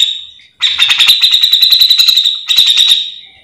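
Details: Grey-cheeked bulbul in full gacor song, recorded as tutor material or a lure for other grey-cheeked bulbuls; a sudden fast rattling chatter on one steady high pitch runs for about two seconds, breaks briefly, then resumes.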